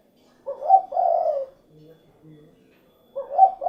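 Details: Spotted dove, known as derkuku, with one low cooing phrase, a short note sliding into a longer coo, then faint low murmurs and the start of another phrase at the end.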